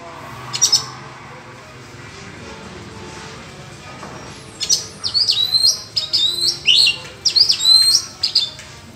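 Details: Oriental magpie-robin in the forest during a singing duel with rivals: near-quiet for the first half, then a lively run of sharp, sweeping whistled notes and warbles in quick succession.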